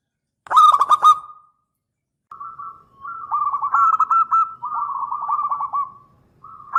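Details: Local zebra dove with a loud voice, used as a lure to draw replies, opens with a sharp burst of coos, pauses, then delivers long, even strings of soft bubbling pulsed notes.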